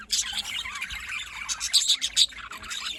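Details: Budgerigars chattering in the morning, recorded in Larkana, Sindh: dense, overlapping high-pitched chirps, warbles and squawks from several birds at once, with sharper bursts near the middle and end.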